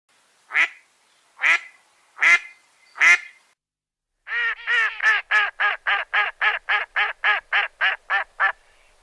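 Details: Duck giving four loud, separate harsh quacks spaced under a second apart, then after a pause a rapid even series of about fourteen shorter nasal quacks, slowly fading.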